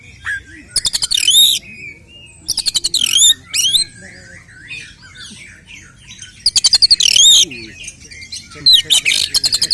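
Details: Oriental magpie-robin 'tarung konslet' song meant to raise rivals' aggression: repeated bursts of rapid clicking ticks flowing into bright, wavering high whistles, four bursts spread across the recording with brief pauses.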